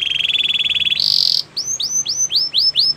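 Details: Belgian canary song for training: a dense rolling trill, a short loud high burst, then evenly spaced hooked whistled notes.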